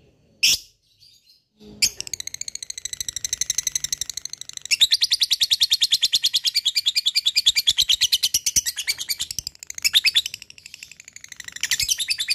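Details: Lovebird giving a long ngekek trill: after a sharp opening chirp, a fast, steady run of high, rattling notes keeps going for about ten seconds with only brief dips in loudness.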